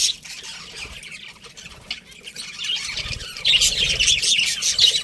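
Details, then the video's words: Caged budgerigar breeding pair, chatter quieter at first, then swelling into continuous high warbling chirps in the last second and a half, with faint low rustling underneath. "cute budgies chirping sounds"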